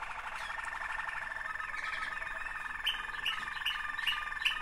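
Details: Continuous rolling, bubbling trill from two sibling Waterslager canaries, with scattered sharp clicks toward the end.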